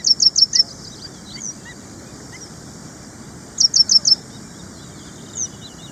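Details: Ashy prinia from India giving high, thin chirps in tight groups of four, two bursts about three and a half seconds apart, with faint lower bird notes and steady background hiss between.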